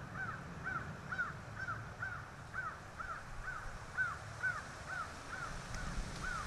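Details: Bald eagle at the E-1 nest in Kisatchie National Forest just after the first egg was laid, 09/12/2023 around 16:32: a steady series of high, squeaky chirping notes, about two per second, over faint low rumble.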